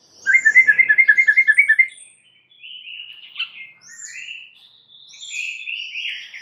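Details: White-rumped shama lure song meant to trigger replies: a rapid, even rattle of about a dozen rising notes, followed by softer varied warbling and high whistles.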